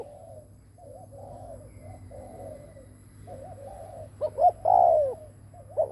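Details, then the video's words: Decoy spotted dove cooing to lure wild doves. Quieter, wavering coos at a distance come first, then a loud nearby phrase of quick hoots and a long, falling coo. "Cu mồi đất gù kích bổi cực mạnh / Tiếng chim cu gáy kích bổi hiệu quả / cu gáy gù /Chim cu mồi gù"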